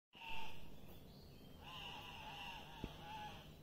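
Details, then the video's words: Andean cock-of-the-rock at a lek giving two drawn-out, nasal, wavering calls, the second longer and undulating, over a low background rumble. "Andean Cock-of-the-rock Lek"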